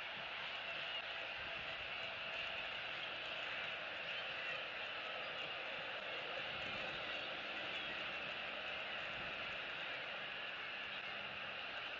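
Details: A continuous, even hiss with faint low rumbling and no animal calls.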